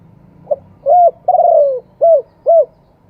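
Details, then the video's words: Live crowing of a spotted dove, wild voice with two closing kuk notes: a small pickup note, a short coo, a long descending coo, and a pair of short hooped coos, with low faint hum beneath. "ขันสด เสียงป่า 2 กุก"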